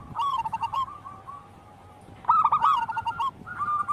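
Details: Zebra dove of local wild stock: one phrase of rapid staccato coos, a quiet spell of over a second, then a second energetic run of coos trailing into a final drawn-out note.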